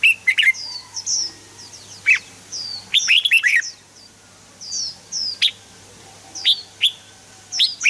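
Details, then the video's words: Red-whiskered bulbul singing for stimulating birds: energetic phrases of loud, liquid whistles, including a dense cluster midway, interspersed with thin, high, downslurred chirps throughout. "เสียงนกกรงหัวจุก สำหรับต่อ หรือ เปิดให้นกคึก"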